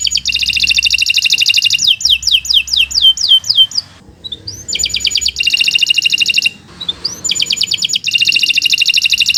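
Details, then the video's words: Canary song used as a long training song for other birds: fast rapid trills, swept descending whistle notes, and dense high buzzy rolls, with short pauses between phrases. "Kicau Burung Kenari 135 II LUAR BIASA GACOR PANJANG Cocok untuk Masteran"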